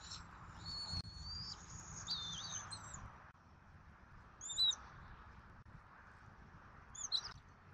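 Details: Bald eagles at a Southwest Florida nest at dinner time on 14 February 2024, with an adult female, male and eaglet. High thin whistled calls with slurred notes, then two short sharp chirped bursts a few seconds apart over steady background hiss.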